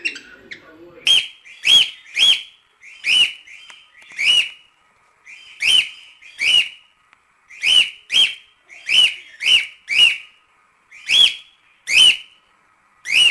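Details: Cockatiel training song for teaching chicks to sing, made of loud, clear whistled notes with sharp attacks. They come in pairs and short runs of three, with brief pauses between groups, repeated steadily throughout.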